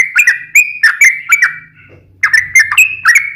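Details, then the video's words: Yellow-vented bulbul singing as a lure in long 'ropel' bursts: chattering liquid whistles for about a second and a half, a short break with a faint low hum, then the bubbly phrases resume quickly. "trucukan gacor ROPEL PANJANG buat Pancingan trucukan agar bunyi"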